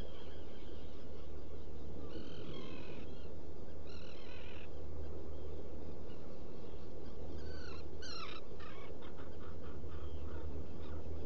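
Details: Nesting-burrow recording of black guillemots on Seal Island NWR, Maine, early morning of 14 June 2018 from a burrow camera: harsh, stacked calls of about a second each, then a run of short rising whistles, over constant low roar.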